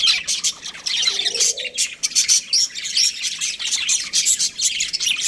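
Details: Steady, fast chirping of a breeding pair of budgerigars, many bright squeaky notes in pulses, with a brief low cooing sound near the one-second mark.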